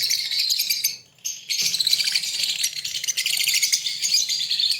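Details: Green Fischer's lovebird pair breeding in Pakistan, giving dense, rapid high chirps and twitters almost without pause, with a brief quiet gap near the start before the chatter resumes.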